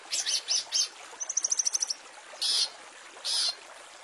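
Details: Long-tailed shrike master song for training caged songbirds: three harsh chirps, a fast high even trill, then two long loud rasping notes spaced about a second apart.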